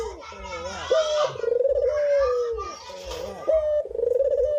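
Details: Cinnamon-headed green pigeon singing: looping, rising notes, then two extended whistles with a rapid tremolo that drift slightly lower in pitch before breaking off.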